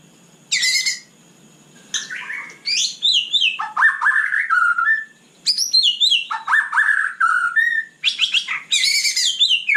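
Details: White-rumped shama (murai batu) in full night song, alternating buzzy rattles with rich whistled phrases that swoop down and up, delivered in bursts separated by short silences.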